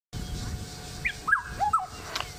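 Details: Black-headed oriole singing up in a tree on 28 October 2016: a short phrase of clear, liquid whistled notes sliding downward, with a speaking voice in the background.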